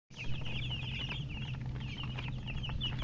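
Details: Baby chicks chirping: a steady flurry of high, thin peeps, each short and slightly falling, overlapping in a continuous chorus, over a low steady hum.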